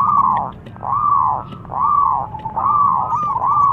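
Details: Zebra dove song said to provoke any rival dove into answering: soft, bubbling cooing phrases of arched, rolling notes, each lasting about half a second and repeated roughly every 0.8 seconds in a steady run.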